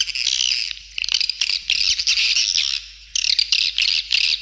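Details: Swiftlets in a calling sound made to attract them to feeding areas and flight paths. The recording is mixed in stereo with a share of nesting sound. Dense, buzzy high chirping comes in bursts, with brief quieter gaps near one and three seconds.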